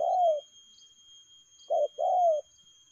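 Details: Spotted dove's speedy "lèo gù" coo: a drawn-out descending note, a pause, then a clipped note followed by another long falling coo.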